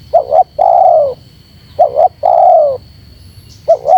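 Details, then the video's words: Spotted dove call aimed at provoking wild doves. Paired short coos lead into long, gently falling coos, repeated twice and then starting again. A steady high hum runs throughout. "Suara Terkukur Menekan Rapat Lawan Pemancing EMOSI Terkukur liar"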